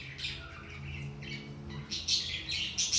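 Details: Budgerigars, played to stir inactive, lazy budgies into activity: dense scratchy chattering and squawky warbles in quick uneven bursts, growing louder toward the end, over a steady low hum.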